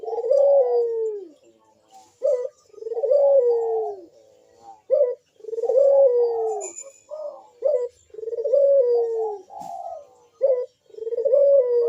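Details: Puter dove in manggung song, described as loud and sharp with a big bekur voice and used to prompt other doves to sing: long low falling coos alternate with short clipped notes, repeated about every two to three seconds.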